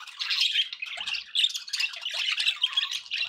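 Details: Budgies kept as pets squawk and twitter in a fast, dense jumble of scratchy chirps and short whistles, sustained throughout with slight louder peaks.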